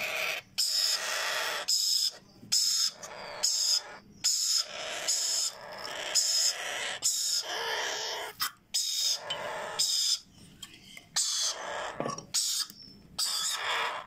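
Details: Mixed hand-reared Sun conure and Yellow Ringneck chicks begging while being hand-fed: a rapid series of short, coarse screeches, often with a shrill whistled tone inside, separated by brief silences throughout.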